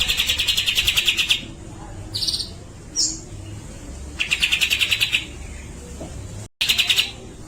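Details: Grey-cheeked bulbul singing in a loud "besetan" style with long "tembakan" bursts: fast, regular trains of bright, rattling, high notes, each burst lasting about a second, mixed with brief sharper high chips and pauses between.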